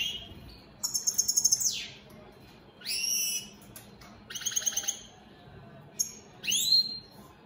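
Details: Opal split Satane European goldfinches singing in separate phrases: a buzzy trill ending in a downslur, an arched whistle, a tinkling chatter, and a final upswept whistled note.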